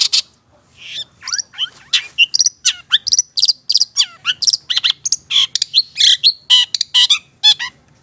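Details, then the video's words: Actively singing Madura Long-tailed Shrike used as a master recording: a fast, varied stream of chirps, squeaks and short slurred whistles, about two notes per second, bright and unbroken over eight seconds. "Masteran Suara Cendet Pentet Madura GACOR Cocok Untuk Pancingan"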